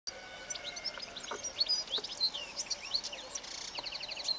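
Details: A European goldfinch singing in early-morning sun in Extremadura, Spain: a fast, continuous twitter of bright, tinkling, slightly buzzy high notes run together without pause, over faint background hiss.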